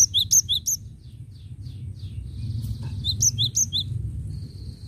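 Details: Cinereous tit singing steadily, meant to attract birds: quick bright two-part whistles at the beginning, a lull with soft distant chirps, then another run of four similar high notes.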